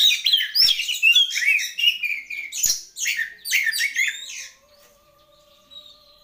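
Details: Oriental magpie-robin singing a rapid jumble of chirps, trills and scratchy notes for about four seconds, then falling quiet while faint steady whistled tones continue in the background.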